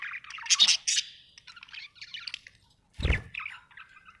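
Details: Budgerigar chattering happily, a few short bright squawks and warbled chirps, then a sharp knock followed by scratchy twittering.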